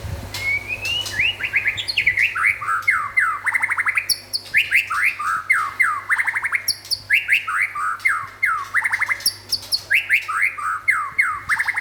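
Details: White-rumped shama, local and forest birds, singing loud repeated phrases of rising whistles followed by rapid descending slurred notes, about two phrases per second-long burst, with a low steady hum beneath and brief speech before.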